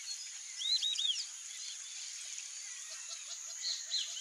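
A flock of White-faced Whistling Ducks gives clear, high whistles that rise and fall in short bursts, over a steady insect-like hiss and a run of soft low notes.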